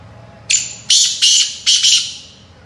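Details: Black francolin giving a harsh call: a thin opening note, then four rasping, squawky bursts in quick succession, each loud and scratchy, against a quiet low rumble.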